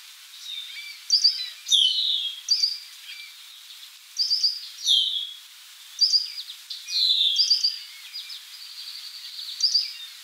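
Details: A resting Worm-eating warbler (Helmitheros vermivorus) gives high, thin chips and short buzzy notes in bursts every couple of seconds over a faint background hiss.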